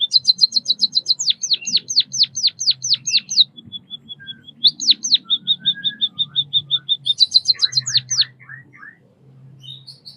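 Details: White-headed munia, called Bondol kaji, singing: rapid runs of high, sharply descending chirps, then a thin level piping series, followed by a second fast burst of chirps and softer lower notes near the end.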